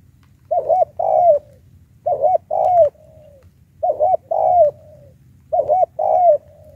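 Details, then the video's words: Spotted dove lure call used to challenge wild birds: four low cooing phrases, each a quick double coo followed by a longer slurred, falling coo, repeated about every one and a half seconds over a faint low hum. "Mồi Tiểu Cườm Cao"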